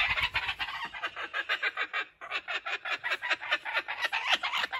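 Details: Laughing kookaburra at a wildlife sanctuary, laughing while it runs off with a stolen joey's toy. Rapid, rhythmic, rasping notes pour out steadily for nearly five seconds, slightly distant.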